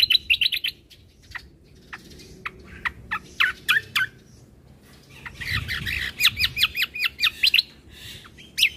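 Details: Mixed combo birdsong played to provoke other birds: quick chirp bursts and sharp single notes, then a dense stretch of rapid repeated chirps.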